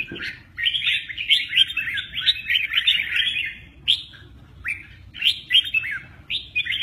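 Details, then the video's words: Red-whiskered bulbul singing in the style called mơ ché nẹt while displaying with its wings; bright warbled, slurred phrases rush together in long bursts, then break into shorter separate phrases after a pause. "Chào mào mơ ché nẹt, chơi cánh rất hay"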